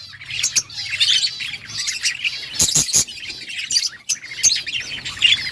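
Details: Parakeet chirping from budgerigars, a busy overlapping chatter of short high twitters and warbles with a few sharper louder notes.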